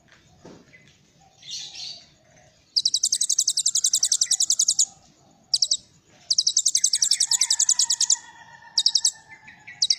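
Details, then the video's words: Kolibri ninja singing with cililin-style filler notes: long, rapid, very high buzzy trills of evenly repeated notes in two bursts, with fainter lower whistled tones and soft chatter between. "Kolibri Ninja Isian Cililin"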